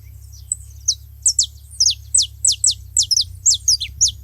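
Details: Several saffron finches at a feeding spot make noise together, giving a steady stream of bright, high, falling chip notes at about two per second, some paired or overlapping.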